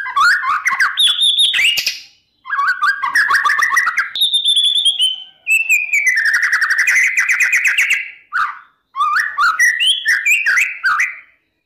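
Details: White-rumped shama morning provoking song for training contest birds: chattering warbled bursts, a high whistle sliding down into a long buzzy rattle, then more mixed whistled phrases.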